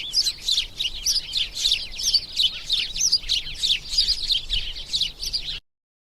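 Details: House sparrow chirping: a rapid, rhythmic run of loud, rough chirps, roughly three per second, overlapping voices, stopping abruptly near the end.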